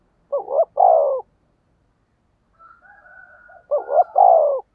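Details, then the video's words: Decoy spotted dove calling to attract wild doves: a loud phrase of doubled short notes and a long coo, a quiet interval of soft murmuring, then the same loud phrase again. "Tiếng cu gáy thúc bổi"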